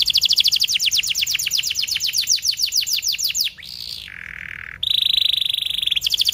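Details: Canary song meant to tutor young canaries and coax silent birds into singing: a fast run of repeated sweeping notes for three seconds, then a brief low flat trill and a bright steady trill.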